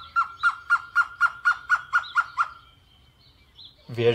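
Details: A Surucua trogon (Trogon surrucura), hidden high in a tree on a small rural Atlantic Forest site in Brazil, sings a steady series of about nine mellow, hollow cooing notes, roughly four per second, then stops; a brief different sound follows.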